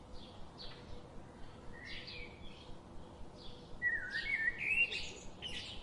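European robin singing thin, high, varied notes that build into quick, tumbling warbled phrases, over a steady low background hiss.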